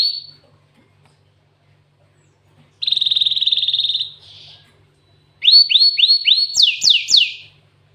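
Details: Glatik watu, or cinereous tit, singing canary-style phrases: a sharp note, silence, a long dry buzzing trill, then a fast run of loud rising whistles and three strong downward sweeps.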